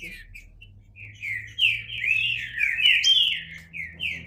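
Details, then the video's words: Song of a green-winged saltator: soft opening notes build into a rich, flowing phrase of overlapping whistled slurs, ending in short rising whistles. "Trinca Ferro (cantando)"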